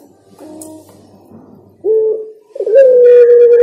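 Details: Spotted dove cooing: a short soft hum, then a clear low coo and a loud, long, level coo note, with faint higher tones behind.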